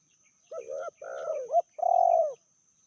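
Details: Medium-voiced spotted dove from Indonesia, one of a pair with a fiercer female. Three connected coos, the middle one rising to a sharp upturned note, the last long, smooth and slightly falling.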